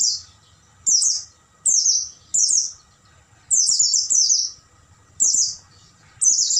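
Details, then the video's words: Night recording of an Oriental white-eye used to tutor caged birds: crisp high twittering bursts of falling notes, one extended run in the middle, with steady pauses and faint low background noise. "MASTERAN PLECI MALAM HARI,AGAR PAGI GACOR BUKA PARUH dan bongkar isian"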